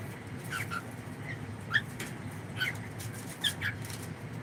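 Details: Cockatiel kept as a pet, heard indoors during a live stream: a scattered series of short, high chirps and squeaky notes, some in quick pairs, over a steady low room hum.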